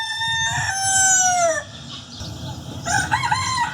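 A rooster gives a long, strained, slightly falling crow, then begins a second rougher crow after a short pause, over a low background rumble.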